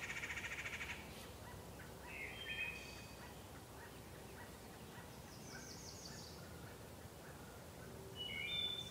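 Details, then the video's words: Wood thrush singing in a sacred grove: short, faint flute-like whistled phrases near the start and end, and a high, rapid trill in the middle, over a steady low background hiss. "Wood thrush singing in the sacred grove"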